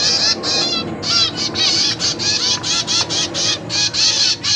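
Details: Newly hatched caged zebra finch chicks begging while parents feed them: loud raspy buzzing calls pouring out almost without break, each harsh note rich in overtones, about one burst per second.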